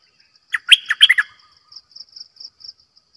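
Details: Brief, loud burst of warbling, chattery notes from a decoy bulbul, followed by soft high pulsing insect-like trills.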